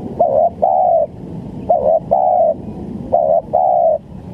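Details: Spotted dove coo series used as bait for bird trapping: three phrases, each a quick doubled low note followed by a smooth prolonged coo, with a faint steady background hum.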